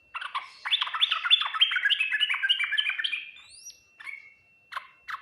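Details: Yellow-vented bulbul singing the Ngriwik Nguplik Tuklik-Tuklik style, said to be answered quickly by other bulbuls: a three-second stream of rapid, warbled, downslurred notes ending in a high rising whistle, then a few scattered short calls.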